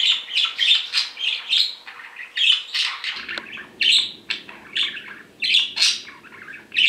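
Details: Separated pet male budgerigars, a sky-blue and a yellow bird, keep calling indoors; rapid sequence of scratchy chirps and squawks in regular bursts, with faint low background noise starting midway.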